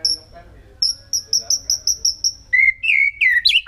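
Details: White-rumped shama in the wild singing: a run of clear high whistled notes repeated about every fifth of a second, then lower slurred whistles rising and falling, with a faint murmur underneath.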